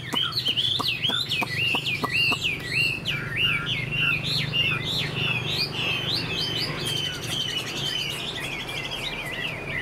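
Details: Chinese hwamei, a caged bird of this year described as singing well, pouring out a long run of looping, rising-and-falling whistled notes in rapid succession, with some tapping clicks early on.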